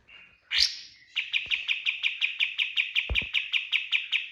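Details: Kapas tembak bird singing a 'tembakan' lure song for training birds: a short buzzy note and a loud burst, then a fast run of sharp, high chipping notes repeated about three times per second, with a few low knocks.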